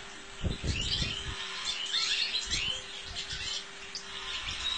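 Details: European goldfinch singing: rapid high twittering with quick slurred and rising notes, over a steady low hum and thumping background noise.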